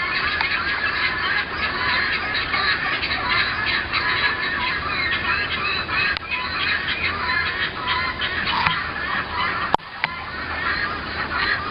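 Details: Guineafowl heard from a front porch in early 2010, complained of as noise from across the road: a continuous chorus of rasping, rhythmic chattering cries from many birds, with a couple of sharp knocks.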